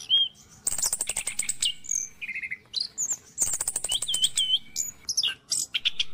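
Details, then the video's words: Morning song of an Orange-headed thrush, played to coax caged birds into singing: clear whistled notes mixed with long runs of fast, high buzzy ticks, pausing briefly between busy bursts. "PANCINGAN ANIS KEMBANG DI PAGI HARI"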